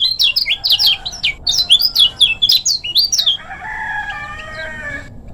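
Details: Lemon-bellied white-eye of Lombok in a short, fast master song: quick high twittering chirps rattle along for three seconds, then give way to thinner, drawn-out squeaky notes, with a faint background hum.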